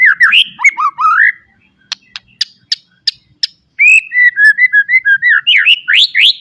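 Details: Full-fill song of a white-rumped shama, meant for tutoring raw birds: warbling whistled phrases, then sharp separate clicks, then a fast series of bright slurred whistles rising toward the end.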